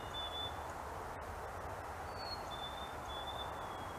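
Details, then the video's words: Black-capped Chickadees singing their fee-bee song to each other: thin, pure whistles, a higher note followed by a slightly lower, drawn-out one, faint against steady wind or distant traffic rumble. "Chickadee Singing fee-bee/cheeseburger Call"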